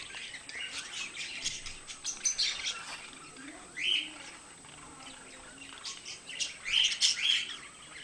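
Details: Pet budgerigars give bursts of scratchy warbling and squeaky chirps separated by quieter gaps, with a rising whistled note near the middle and a loud flurry toward the end.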